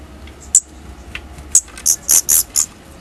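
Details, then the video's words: Baby Daurian redstarts leaving the nest for the first time: a few isolated high squeaks, then four louder, fuller high calls close together, over a quiet low hum. "Baby birds (Daurian Redstart) leaving the nest for the first time."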